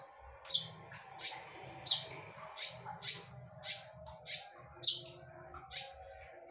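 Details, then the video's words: Konin lure song: clear, sharp, high chips repeated about every 0.6 seconds, loud and insistent, over a low background hum. "KONIN GACOR FULL TEMBAKAN / SUARA TAJAM DAN NYARING / BERANI DENGARKAN SUARA PANCINGAN KONIN INI??"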